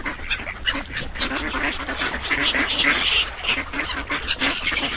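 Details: Ducks quacking in a dense, overlapping chorus, harsh nasal calls tumbling over one another several times a second with no clear rhythm.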